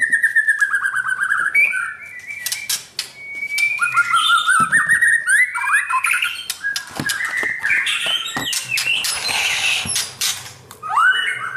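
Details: White-rumped shama in training for competition, delivering a dense, rapid medley of whistles, slurred notes and harsh rasping squawks with hardly a pause.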